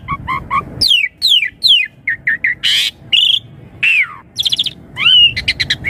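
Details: Asian pied starling singing a richly embellished lure song for young birds: paired low notes, steep falling whistles, a harsh noisy burst, and a quick stuttering sequence of clicks and slurs.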